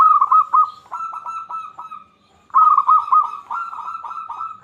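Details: Zebra dove of local Indonesian stock singing as a lure for other zebra doves: a stream of rapid, rolling coos fades, pauses for half a second, then resumes strongly with close-packed notes.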